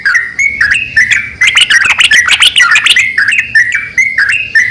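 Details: Male and female yellow-vented bulbuls calling in exchange: slurred two-part chirps open and close the passage, with a crowded middle section of overlapping rapid bubbly notes from both birds.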